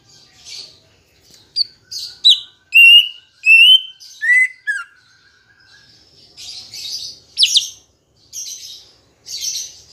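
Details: Green leafbird song played as a lure to get kept birds singing: scratchy high chips, then loud pure whistles that step downward, followed by buzzy rattling notes and chatters.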